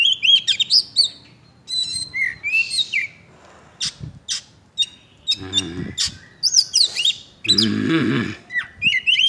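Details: An Oriental magpie-robin in full, active song delivers rapid, varied whistles, chirps and slurred notes in quick bursts, with short gaps and two brief bursts of human speech or noise in the middle.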